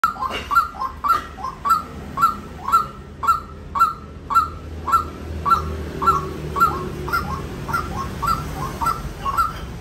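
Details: White-breasted waterhen calling steadily, about eighteen short, harsh, clipped notes in ten seconds, each a quick kwak repeated roughly twice a second over a low background rumble.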